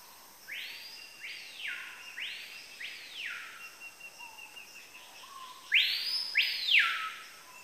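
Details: Capitão-do-mato song: three loud arched whistles, each rising then falling in a smooth curve, spaced about two seconds apart, the last strongest, over a steady background hiss and a faint high tone.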